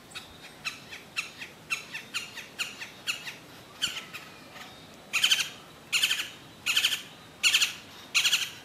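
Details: Juvenile bronzed cowbird at Tzununa, Lake Atitlán, Guatemala, giving harsh, rasping squawks. They repeat in a steady series, then turn into louder, longer buzzy bursts about every 0.8 seconds, with a great-tailed grackle calling in the background.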